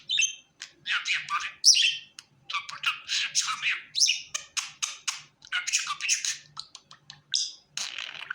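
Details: A pet budgerigar, described as happy, produces a long stream of short scratchy chirps and chattering bursts, rhythmic and nearly unbroken across eight seconds.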